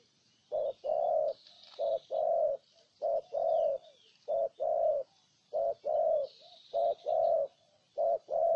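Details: Spotted dove in Ninh Thuận, Vietnam, repeating a mellow two-part coo, short note then longer throaty note, about five times at even spacing, with faint twittering birds in the distance.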